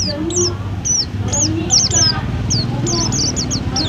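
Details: Pleci kept as a food-stall bird gives high, sharply slurred whistled notes in quick clusters. A low hum and murmuring voices sit beneath.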